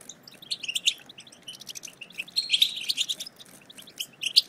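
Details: Goldfinch batbata chatter for prompting silent goldfinches to sing. Sparse, irregular chips and short twitters, with a denser cluster near the middle and a sharp note at the end.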